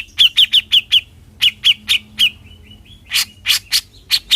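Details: Cucak jenggot, or Bearded bulbul, delivering besetan song: bursts of clipped, bright chip notes in quick groups, a brief pause with soft faint notes, then louder, harsher broad notes.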